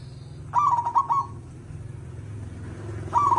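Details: Zebra dove with a big voice, recorded as a training track for other songbirds. It delivers a quick rolling series of trilled coos for under a second, then repeats the trilled phrase about two seconds later over a constant low hum.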